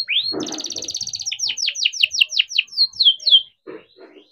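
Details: Young captive-bred canary singing long and continuously with a rolling song, used as a lure to get other canaries singing: a rising sweep, then a fast buzzy trill and a string of descending whistled notes about four per second.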